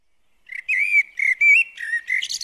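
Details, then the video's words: Common blackbird singing in a garden where it visits a bird table: mellow fluted whistles near one pitch, linked in a short phrase, ending in a thin high twittering flourish. "Garden Birds Singing The Blackbird"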